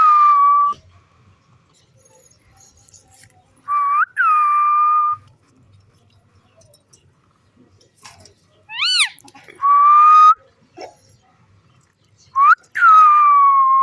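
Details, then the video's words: Green pet parrot interacting with its owner: loud sustained whistled tones that rise sharply and then hold steady, plus one short arched note, separated by quiet stretches with faint handling noise. "Beautiful Green Parrot Playing & Making Stunning Sounds"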